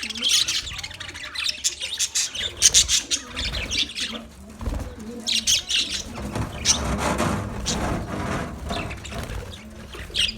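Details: Colony of budgerigars, busy chirping and scratchy chatter accompanied by fluttering wing sounds and low rustling in the middle section.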